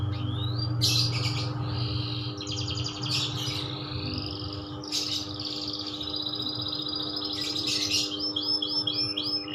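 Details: Kenari loper canary singing a varied run of quick trills, upswept whistles and rolling note series, phrases changing every second or two, over a constant low mechanical hum.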